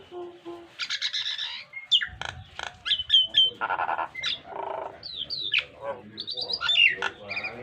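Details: Nias hill myna delivering a richly varied training song for pet mynas, mixing sharp clicks, high rising and falling whistles, raspy buzzes and mid-pitched nasal notes in a restless, uneven stream.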